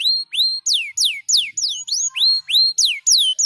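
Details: Canary delivering a steady series of loud swooping whistles, some rising and some falling, about three per second, with no trills.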